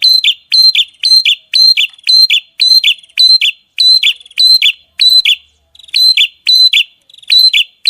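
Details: Songbird in masteran gacor singing: one bright chirped phrase, a flat high note dropping into a lower slurred whistle, repeated almost twice a second with short gaps, in clean silence.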